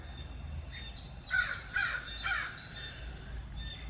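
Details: A big crow near a misty, rainy garden, after unripe raspberries, gives three harsh, hoarse caws about half a second apart, with faint rain-like hiss and other bird chatter behind.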